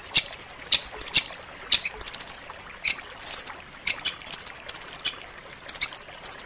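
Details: Rambatan loreng song used as training material for pet birds, described as dense and sharp: high, rapid chattering trills in short bursts repeated about once a second, with brief single chips between them.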